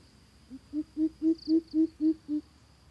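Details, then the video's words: Coucal lure call: eight deep, hollow hoots in quick, even succession, each rising in volume, with a faint high insect-like whine in the background. "Bìm bịp thiêm ku dụ bổi"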